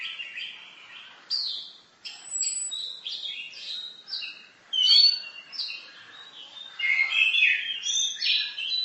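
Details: Orange-headed thrush 'masteran' song: a long, busy stream of short whistled and chattering notes in varied pitches, building louder toward the middle and end.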